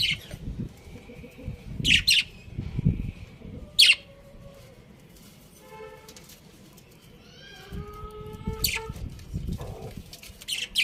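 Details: Chirping budgerigars: scattered sharp, scratchy chirps, with a few soft, wavering whistled notes in the middle and low background rustling.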